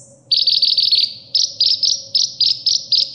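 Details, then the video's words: Sunbird singing high, sharp chirps in short bursts: a quick run of five notes, then clusters of two or three chirps repeated at a steady pace, over a faint steady low hum. Recorded as training material for caged birds. "suara isian burung kolibri"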